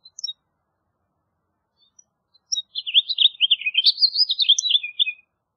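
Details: A house finch song: a few faint opening notes, then a bright, fast warble of twisting chirps rising and falling for about two and a half seconds, ending in a buzzy slur.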